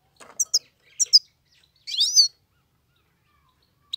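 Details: Singing Himalayan goldfinch gives two pairs of bright high chirps followed by a buzzy, wavering twitter lasting about half a second, then silence.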